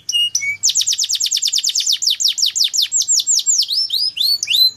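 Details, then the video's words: Canary song used as a lure to get other canaries singing eagerly: a couple of short notes, then a fast, loud trill of repeated downward-sweeping whistles, slowing into broader swooping notes near the end, clean with no other sounds. "Pancingan Burung Kenari Agar Cepat Gacorr"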